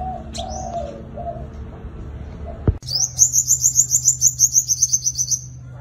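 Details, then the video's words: Doves coo low at first. Then a sunbird bursts into a long, rapid, very high trill of about a dozen evenly spaced buzzy notes as part of its fighting song used as a lure. "Tiếng chim hút mật 5 màu dùng đi mồi đánh bổi - Tiếng chim hút mật 5 màu hót đấu"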